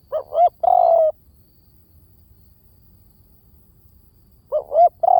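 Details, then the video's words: Spotted dove decoy call in the V18 style: two short hooked notes, then a long, level, slightly falling coo. One full phrase, then a gap of about three seconds before the next begins. Quiet background otherwise. "เสียงนกเขาใหญ่!! เสียงต่อ! ชัดๆแบบ V18"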